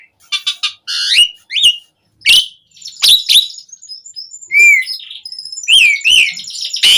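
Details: Asian pied starling song in the gacor full-isian style, intended to lure captive starlings into singing: scattered harsh notes, short rising whistles and a few thin high tones, with gaps between calls.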